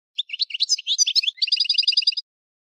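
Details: European goldfinch singing a rapid twittering phrase of liquid chirps, then a fast even trill of repeated high notes lasting about a second; clean background with no other sounds.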